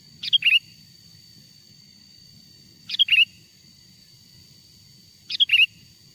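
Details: Wild sooty-headed bulbul song, played as a lure call so other wild bulbuls respond and approach: three brief chirpy, warbled phrases repeated roughly every two and a half seconds over a quiet low hum.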